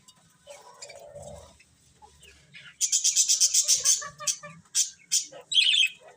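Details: Several colourful budgies chirp, quiet at first, then break into a loud string of quick, high, scratchy chirps repeated almost three times a second, ending in a harsher squeaky flourish.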